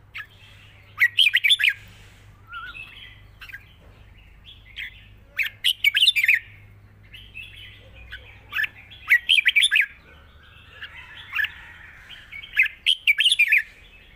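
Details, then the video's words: Over fourteen seconds a red-whiskered bulbul kept in a cage delivers long song with chatter in wild phrasing. Loud clustered bursts of bright notes come every couple of seconds, with softer warbling between them. "เพลงยาว ปากเบา ร้อง+ริก /สำนวนป่าๆ"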